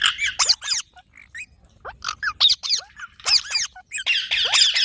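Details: Green parrots feeding on maize give scattered shrill, hooked screeches and short squeaks, building into a continuous harsh chorus at the end.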